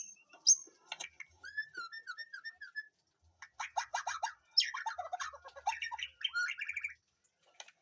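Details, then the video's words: Caged white-rumped shama in a backyard garden aviary giving a softer, varied song: a run of repeated mid-pitched whistles, then dense jumbled chattering and twittering phrases with brief pauses between bursts. "Aviary murai batu di kebun belakang rumahku"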